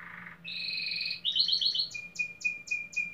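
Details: Domestic canary in a singing competition in Pelotas, Rio Grande do Sul: a low buzz, a double-toned rolling note, then a crisp series of about five evenly spaced clipped notes.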